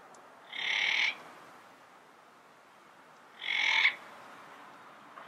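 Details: Yellow-headed parrot in its natural habitat making two loud, buzzy, high squawks about three seconds apart, each roughly half a second long, over faint background hiss.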